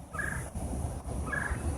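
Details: Red-headed woodpecker, red head, grey body and white on the wing, on an island at Niagara Falls, Ontario, on 17 May 2016; the observer thinks he is calling for a mate. He gives two short, nasal, slightly stepped calls about a second apart over low wind or handling rumble.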